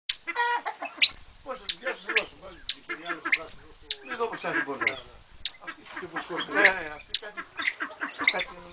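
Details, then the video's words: Pheasants kept as breeding pairs give loud, high, rising whistled peeps, one every second or so, over a busy background of softer chattering and clucking from other birds. "ΦΑΣΙΑΝΟΙ - PHEASANT"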